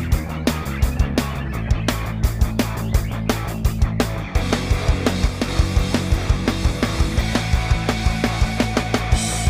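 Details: Loud rock music with heavy, steady drum beats and distorted guitar fills the whole stretch, and no animal voice can be picked out.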